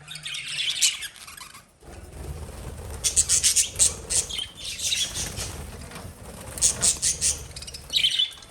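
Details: Pet lovebirds giving scattered bursts of high, scratchy chirps and squeaks amid rustling and fluttering, with a brief lull early on.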